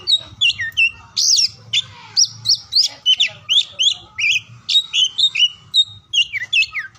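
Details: Magpie-robin, oriental, in a rich, continuous run of rapid whistled and scratchy notes, many swooping down in pitch, meant to spur mute or lazy birds into singing; a low hum underlies it.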